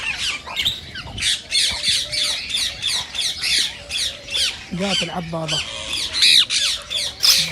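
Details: Indian rose-ringed parakeets keep up rhythmic shrill screeching, roughly once a second, with a brief human voice near the middle. Other parakeets that hear these calls are said to be stimulated to mate.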